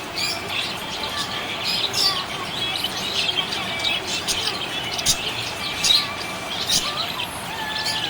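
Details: Happy budgerigar chirping: dense, busy high chatter of short bright chirps and warbling notes, with sharp clicks scattered throughout.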